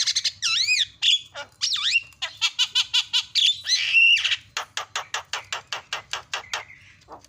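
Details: Javan myna song for stimulating other mynas: looping whistled notes sweeping up and down, sharp clicks, a rising slurred whistle, then a long fast series of clipped metallic ticks slowing toward the end.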